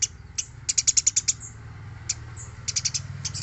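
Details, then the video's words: Eurasian tree sparrow (gereja), used as a master recording for training other birds: a short run of about eight sharp high chirps, then scattered single chirps and a small cluster, over noticeable low background noise. "MASTERAN GEREJA GACOR SUARA BERSIH"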